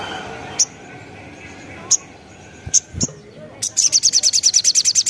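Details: A continuously singing Sogon, a sunbird, used as a lure: several separate sharp high chips spaced over the first three seconds, then a rapid, steady trill of high pulses to the end.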